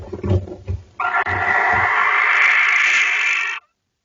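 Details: Barn owl calling outside a nest box as another barn owl enters the box: one long, harsh, hissing screech of about two and a half seconds, after a few low thumps and rustles.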